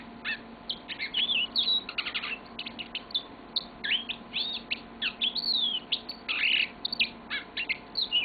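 A yellow-fronted canary sings a long, high-pitched run of bright chirps, fast trills and twittering phrases with only brief pauses, over a faint low hum.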